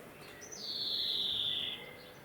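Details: Male European greenfinch in a garden gives one long, nasal, buzzy wheeze of just over a second, starting high and sliding slightly lower over a quiet background.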